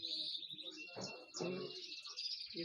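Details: A Belgian canary, a white-coloured bird at a Sunday bird market in Pakistan, sings a continuous, high, rolling trill with fast chattering notes while a man speaks briefly over it; described as singing crystal clear.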